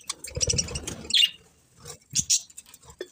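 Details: Budgerigars chirping: bright, high chirps come in short bursts, with a louder sharp note near the middle and another cluster toward the end. Low rustling and thumping noises sit underneath.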